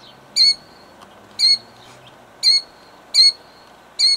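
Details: Killdeer female defending her nest of eggs, Jackson, New Jersey, 2008: five piercing high cries at roughly one-second intervals, each short and slightly down-slurred at the end, with a faint hum behind.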